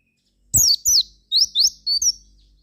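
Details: Javan white-eye singing as a lure meant to prompt other white-eyes to reply: a quick run of sharp, high falling notes, then rising slurred whistles and a final pair of bright chirps.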